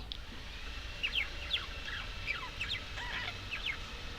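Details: Budgerigar chatter heard through a hissy background: thin, descending and rising whistled notes follow one another in uneven bursts across the recording.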